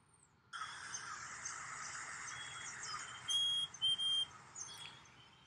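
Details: A backyard chickadee gives its song of three clear, high, whistled notes in about one second, the last held a little longer, likened to 'cheeseburger' or 'hey sweetie', after a stretch of steady hiss.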